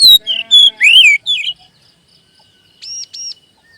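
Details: Magpie robin singing a prompting phrase meant to boost the mood of kept birds. A quick run of whistled, swooping notes stops after a second and a half. Two soft, arched chirps follow after a quiet pause.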